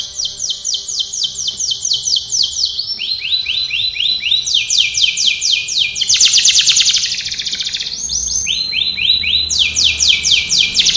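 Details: A canary's training song: long tours of rapid high sweeping notes changing pitch, a loud buzzing trill midway, then more fast looping phrases.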